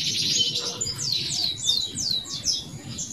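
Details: Male canary song used to train young canaries, a run of clear downward-sweeping whistles repeated roughly every third of a second over a low background hum.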